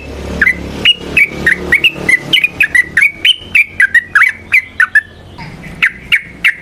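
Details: Trucukan (yellow-vented bulbul) in lively singing used to lure and train other birds: a string of clear, sharply slurred whistled notes, several each second, with a faint hiss underneath.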